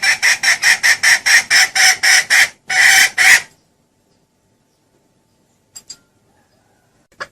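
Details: Female red junglefowl calling, with the male said to come straight to her: about ten strong clucks in quick rhythm, a short pause, a final longer harsh note, then near silence with faint ticks.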